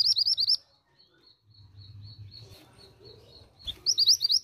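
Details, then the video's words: Calling female pied bushchat, aiming to draw males' responses. A short burst of high, rippling notes opens, followed by a thin repeated faint whistle, then another rapid high burst closes. "BURUNG MANTENAN GUNUNG BETINA GACOR UNTUK TARIK RESPON BUNYI MANTENAN JANTAN"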